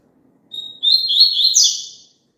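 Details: Double-collared seedeater singing a phrase used to get a kept papa-capim to sing along: opens with a held pure whistle, breaks briefly, then bursts into fast buzzy warbling notes rising higher before trailing off; faint low hum underneath.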